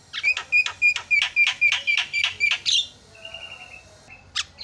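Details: Javan myna used to provoke other mynas into calling: a fast run of loud, harsh, clipped notes about four a second, then a flat whistle and a short high squeak.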